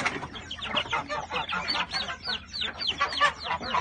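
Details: Hens leaving the coop in the morning: a dense, busy chorus of many overlapping short, high, downward-sweeping chirps and clucks, continuous throughout with no pauses.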